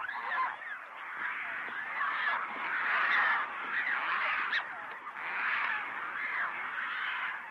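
A dense, continuous chorus of harsh, honking squawks and grunts from many pelicans, swelling and fading in waves without a break.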